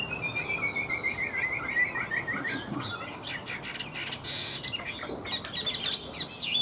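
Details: Chinese hwamei song from a dealer's nonstop singer: a gently descending string of whistled notes, then a burst of harsh, noisy notes and quick high twittering whistles.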